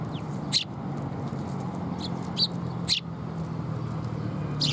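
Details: Sparrows coming for food at a Tenmangu shrine on 30 September 2021; a few short, sharp high chirps spaced over several seconds above a steady low rumble like passing traffic.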